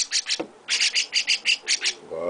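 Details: Hand-raised young chestnut-cheeked starling calling near its owner: a short harsh triple chirp, a pause, then a steady run of about eight buzzy notes, followed by a woman starting to speak.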